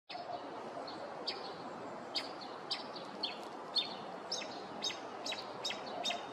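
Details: Northern mockingbird, a male in a neighborhood, running through its repertoire in the morning: a steady series of short, sharp, high chirps repeated about once a second over a hissing background.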